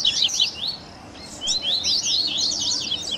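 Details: Short burst of Double-collared seedeater 'baderna' training audio with varied coleiro styles: quick bright chirps, a pause, then busy overlapping high downslurred notes.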